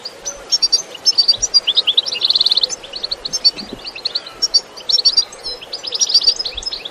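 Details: European goldfinch delivering an enthusiastic 'batbata' song outdoors with no effects added: continuous high tinkling twitters interspersed with a brief buzzy trill, phrases pouring out almost without pause across the whole stretch.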